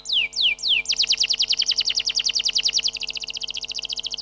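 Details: Canary song beginning with three loud descending whistles, then a long rapid trill of repeated notes that quickens toward the end.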